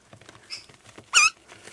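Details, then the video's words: Four young rescued Adelaide rosellas, just fed and settling down for the night, give one brief, shrill squeak dropping slightly in pitch, with a fainter high peep earlier, over soft scratching and tapping. "Cute Baby Rosellas"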